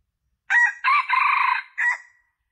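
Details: Junglefowl lure call to draw in males: a raspy crow in four pieces, with a brief first note, a longer pulsing middle run lasting nearly a second and a short trailing finish, recorded against silence.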